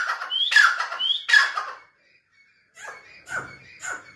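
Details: Grey francolin (teetar) giving two loud, harsh, grating notes, each opening with a short rising whistle. A quieter scratchy pause and softer rustling sounds follow.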